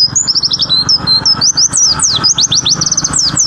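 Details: Caged white-eye in rapid, high-pitched song: a dense run of sharp downward-sweeping whistled notes and quick trills packed across the whole phrase, over a low background hum.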